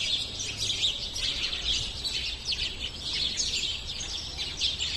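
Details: A flock of sparrows chirps continuously, with many high, scratchy tweets overlapping into a busy chatter over faint low background noise.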